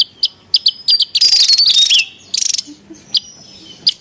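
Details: Noisy wild Javan tesia, used for luring and master training of birds: rapid high-pitched chips, then a dense buzzy, rattling burst and a fast series of ticks, ending with scattered single sharp notes.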